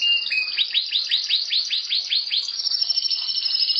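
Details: Singing canary kept as a pet, delivering a fast series of about a dozen sharp downward-swept notes followed by a high, even, sustained trill.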